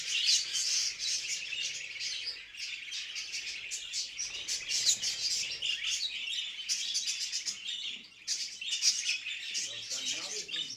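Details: Budgerigar mating calls, lively chirping and warbled chatter, several birds overlapping in a continuous stream.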